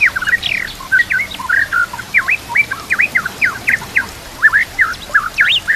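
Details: Murai batu, the white-rumped shama, in a training recording rich in mimicked phrases, over nature sounds and trickling water: a lively chain of quick V-shaped whistled notes, dipping and rising, repeated steadily at mid pitch.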